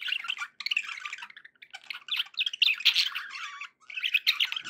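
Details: Happy budgerigar sounds indoors: dense, scratchy warbling with squawky notes and quick chirps, running in bursts separated by short gaps.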